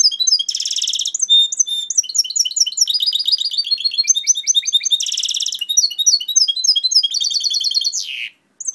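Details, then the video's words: Goldfinch hybrid (mixto) singing, recorded 2011: fast continuous high twittering song of rapid trills, buzzy rattles and clipped repeated notes, changing phrase every second or so, loud and close, ending abruptly. "mixto jilguero"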